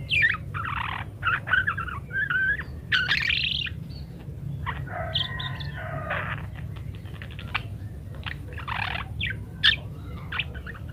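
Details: Parakeet song used as a master recording to teach munias to sing: busy warbling chatter of rapid twittering notes and short buzzy bursts, with steady low hum underneath.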